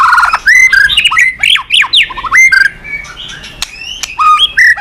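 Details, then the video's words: White-rumped shama in loud song, meant to draw other birds to sing: rich whistled phrases with steep rising and falling sweeps, short trills and scratchy notes in bursts separated by brief pauses. "Masteran MURAI BATU super gacor dan istimewa..cocok tuk pancingan burung lain."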